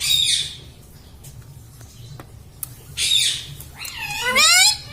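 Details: Pet parrot talking indoors, saying words such as mummy: three short harsh, harmonic-rich utterances near the start, middle and end, the last one wavering and descending, with quiet room hum between them.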